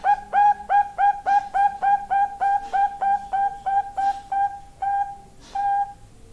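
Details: Female Bangkok-type zebra dove giving a long call: a rapid, even run of about seventeen short, clipped cooing notes, roughly three per second, the last few spaced a little wider.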